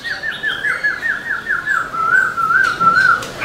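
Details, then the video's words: Black-throated laughingthrush singing vigorously while dancing with its tail: a fast run of rolling, slurred whistles, then a few higher looping notes, over steady background hiss. "Khướu bạc má HÓT MÚA ĐUÔI cực sung"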